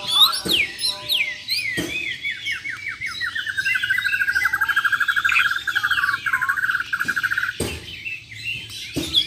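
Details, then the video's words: Bornean white-rumped shama, Muara Wahau champion line, in a contest with besetan and tembakan: falling whistled notes lead into a long, fast, even trill held for several seconds, then a few sharp clicks. "BURUNG JUARA MURAI BATU BORNEO "MUARA WAHAU" || FULL ISAIN BESETAN DAN TEMBAKAN"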